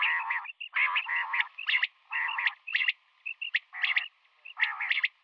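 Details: Female common quail calling in the morning, giving loud grating buzzy phrases about half a second long, separated by short pauses, with sharp clicks and soft whistled notes between.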